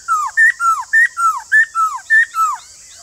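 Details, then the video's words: Rhythmic white-cheeked laughingthrush song alternating a longer falling whistle with a short, higher, flat whistle, the pair repeated five times in three seconds over soft hiss. "khướu bạc má nhà bạn đang bị yếu lửa không hót"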